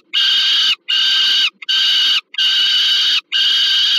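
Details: At the Termika Żerań nest in Warsaw, Poland, 15 August 2022, an adult peregrine falcon brings food to a young one: loud, rasping screams of steady pitch repeat roughly every three-quarters of a second without letting up.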